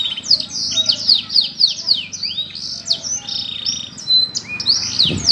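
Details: Caged canary kept in a lovebird cage, singing a continuous bright song of high rolling trills and quick sweeping notes, over a low background rumble.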